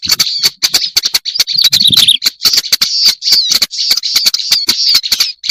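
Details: Lure recording of a black-browed reed warbler, a steady stream of harsh, buzzy, scratchy notes with occasional higher squeaky phrases around two seconds, overlaid with crisp clicking taps.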